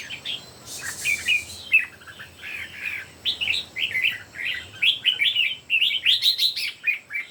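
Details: Competitive song from three red-whiskered bulbuls: a brief wing-flutter-like noise early, then cheerful bubbling whistled phrases that build into a dense run of quick rising-falling notes toward the end.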